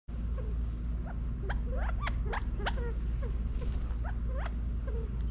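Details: California quail feeding in a backyard in Las Vegas, Nevada, fall 2022: scattered short upward-sweeping chirps mixed with soft low clucks, irregularly spaced, over a steady low hum.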